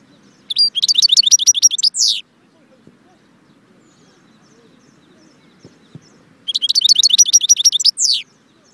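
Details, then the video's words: Singing European goldfinch, Constantine, Jbel Wahch: two phrases about five seconds apart, each a fast, bright, rattling trill ending in a wheezy descending note, with faint low background noise between. "chardon chant Constantine jbel wahch"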